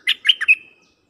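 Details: The decoy dok taeng bird gives a short song to call wild birds: four quick, sharp notes, then a thin whistle that trails off and fades. No other sound is heard.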